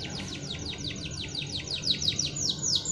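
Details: Canary singing a long sharp song: a fast run of repeated high descending notes, about six per second, accelerating toward the end over a low background hum.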